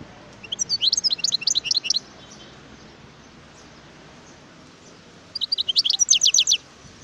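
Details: Song of a wild European goldfinch, 2018: two separate bursts of fast, liquid twittering, each about a second long and made of high notes that drop in pitch, separated by several seconds of soft hiss.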